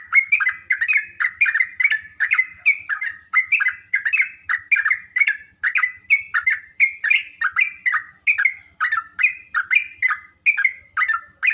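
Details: Long, steady stream of chattering, gurgling sooty-headed bulbul notes, several per second, without pause. The song is used to draw answers and song from kept bulbuls. A soft low thumping and a high ticking sit underneath.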